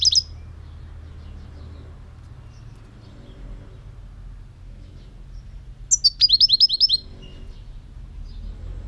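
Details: A European goldfinch gives a brief chip at the start. After a long, quiet pause comes a rapid, jingling trill of about eight high, downslurred notes lasting roughly a second.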